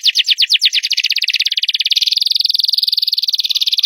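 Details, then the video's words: Loud canary song: several slow downslurred notes that quicken into a long, fast, rattling trill, held steady and bright for the rest of the phrase. "CANARY SINGING LOUD!!"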